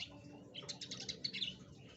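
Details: Canary song played as a lure to prompt a lazy canary into singing: a brief burst of bright, high chirps and quick twittering notes, fairly faint, over a steady low hum.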